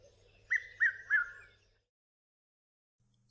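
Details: Red-chested Cuckoo (Cuculus solitarius; Afrikaans 'Piet-my-vrou') giving three quick, loud whistled notes, each slurring downward, in the familiar 'piet-my-vrou' rhythm, then quiet; a Diederik Cuckoo may call in the background.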